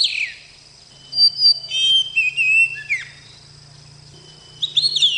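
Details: Young oriental magpie-robin singing clear, drawn-out whistles and quick slurred notes in a short phrase, a pause, then another whistled burst, with a faint low hum underneath.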